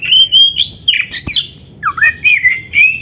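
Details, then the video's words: Oriental magpie-robin in energetic 'gacor isian' song, played as a lure so that other magpie-robins answer. Loud whistled phrases sweep and waver high, with squeaky slurred notes and a short pause before a second rising, warbling phrase. "PANCINGAN KACER GACOR ISIAN"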